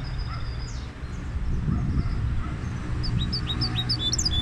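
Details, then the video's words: Goldfinch hybrid singing: faint twittering notes early, then a quicker run of high, clipped, sliding chirps in the final second and a half, over steady low rumbling background noise. "هجين الحسون Mixto del Jilguero"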